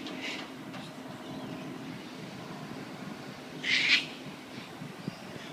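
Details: A single loud, rough screech from sulphur-crested cockatoos amusing themselves with a coffee cup at the Royal Botanic Gardens in Sydney, preceded by a faint squawk and steady background hum.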